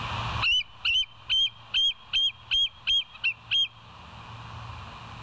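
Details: Bald eagle calling at the West End nest, filmed by a live nature cam on 26 September 2023 at 07:01: a series of nine sharp, high piping notes, roughly three per second, over a faint low hum.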